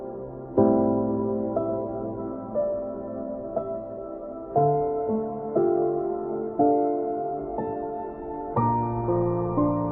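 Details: Gentle ambient piano music with slow, regularly struck chords, with no animal sound heard.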